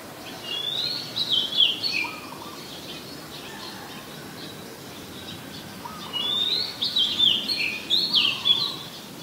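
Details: Oriental magpie-robin, a very common resident, at Ubon Ratchathani, Thailand, on 14 October 2021, sings two bursts of rich, varied whistles and quick slurred phrases, high and sweet, with a faint steady background hiss.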